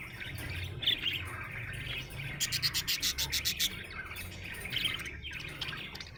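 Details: Happy budgerigar chirping: a continuous warbling chatter around the upper-middle range, broken by a rapid burst of about ten sharp clicking pulses near the middle, with soft low rumble beneath.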